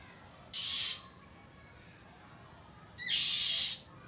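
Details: Oriental magpie-robin giving threatening calls, recorded 1 April 2023: two loud, harsh, hissing rasps about half a second long each, spaced roughly two and a half seconds apart, with quiet background between.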